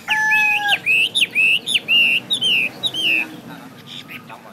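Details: Chinese hwamei pouring out loud, clear whistled notes in a quick run, each slurring up or down, about two per second, opening beside a steady thin tone before fading to quiet.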